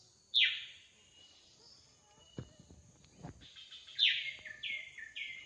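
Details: Drongo singing in the wild: a loud down-sweeping note, a pause broken by two dull thumps, then a quick series of three or four falling notes.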